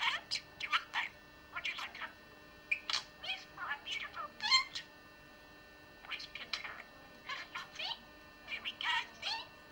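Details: A pet budgerigar talks, saying nursery rhymes, tongue twisters and Bible texts: a steady stream of high-pitched, clipped, word-like syllables in phrases with short pauses.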